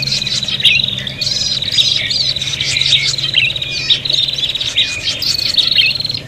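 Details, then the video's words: Noisy, fighting prinias in a bird-luring recording, sharp high chirps repeated roughly every second over a continuous shrill, buzzy chatter, with a faint steady hum beneath. "suara prenjak pikat ribut tarung"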